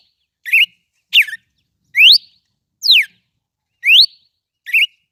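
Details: Red-cowled cardinal singing a lot: six clear whistled notes about a second apart, alternating steep upward and downward slurs, some ending in a short twist, against a silent background.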